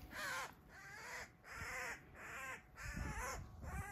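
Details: In a backyard fight with an attacking Eurasian Sparrowhawk, the Eurasian magpie cries out in a steady series of five drawn-out, arching squeals, with light rustling between them.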